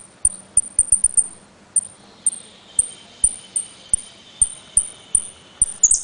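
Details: Saffron finch, locally jilguero, from Trenque Lauquen in 'El Correntino' style: a steady string of high, thin whistled pitadas, some in quick pairs, with clicks and a faint hiss in the background.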